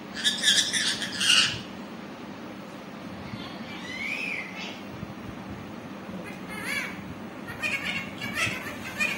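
A green parrot gives harsh, raspy squawks, a short rising whistled note, then bursts of chattering, speech-like sounds over a low background hum.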